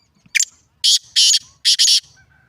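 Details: Black francolin, known locally as kala teetar, calling: a harsh, grating phrase of five loud rasping bursts. One short note comes first, then two longer grinding notes, then a quick doubled pair. The background is quiet, with faint low rumbles.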